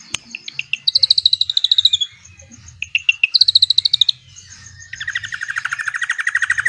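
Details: Black-winged oriole (Oriolus nigripennis), song.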